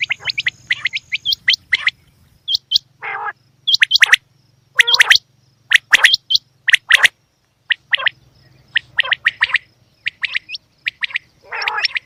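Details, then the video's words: Female quail chirping in quick sharp bursts with upslurred whistled notes and occasional harsher buzzy calls, irregularly spaced through the recording; a low hum lies under the first part. "Batair Ki Awaz Quail Sounds bedana ovozi"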